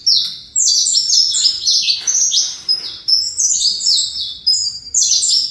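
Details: Saffron finch of the fibra breeding line giving dense, high, ringing phrases of quick falling notes, restarting every second or so with sharp loud onsets.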